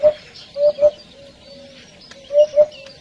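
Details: Eurasian hoopoe calling to its flock: soft, low, hollow 'hoop' notes in quick groups of two or three, repeated after a pause, over a faint steady hum.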